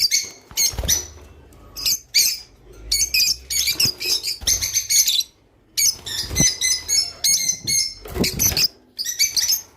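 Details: Java sparrow singing, a sound to prompt birds to mate: rapid chips and clear, ringing notes in clustered phrases with short gaps, plus a few soft low bumps.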